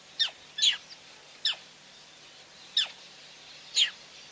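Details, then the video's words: Female black crake at PP, recorded 9/6/11: sharp, high notes sliding steeply downward, given singly and in a quick pair, about five calls in four seconds over faint steady background hiss. "female black crake"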